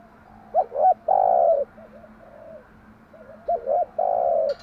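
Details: Spotted dove's morning cooing in a set pattern, used as a lure to train doves: two low hooting phrases, each a quick double coo followed by a longer drawn-out coo, with soft murmurs between them in a quiet setting.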